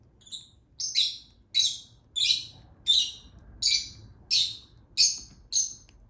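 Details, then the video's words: Baby lutino Fischer's lovebird chick being hand-fed, giving high, harsh, buzzy begging calls repeated steadily about every 0.6 seconds, each short burst rich in overtones, with a faint low hum underneath. "Hand Feeding Baby Lutino Fischer Lovebird."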